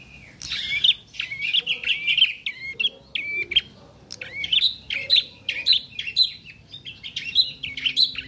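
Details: Bar-winged prinia fledgling learning to sing, giving busy runs of sharp high chirps that jump up and down in quick clusters, nearly continuous across eight seconds, over a quiet background hum.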